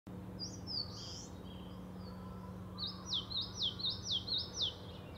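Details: Eastern crowned warbler at Shari, Hokkaido: a few thin high notes, then a quick run of about six sharp downslurred notes, roughly four per second, over a low steady hum.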